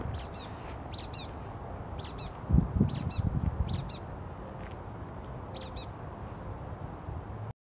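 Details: Brown-headed nuthatch on 21 February 2023 giving squeaky, nasal doubled notes, each pair a quick 'kee-dee', repeated about every half to one second, with a few low thumping sounds in the middle of the clip.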